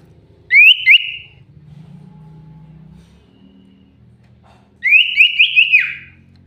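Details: Common iora song, a lure recording: two bright whistled phrases of quick rising notes at a steady pitch, separated by about three seconds of low background hum.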